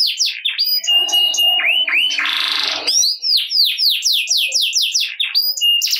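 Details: Canary singing hard in the ngerek style as a prompt for lazy birds: rapid falling whistles, looping swoops, a brief harsh grinding burst, then more quick slurred notes and chirps.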